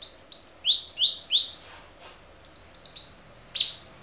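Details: Clear cucak cungkok song used to tutor other songbirds: a fast run of five rising whistles, a short gap, three more rising whistles and a final abrupt downward note.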